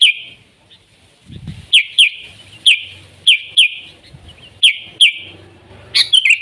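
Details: Wild sooty-headed bulbul giving short, sharp, falling whistled notes at irregular intervals over a steady hiss and low rumbling background noise, with a brief thump early on.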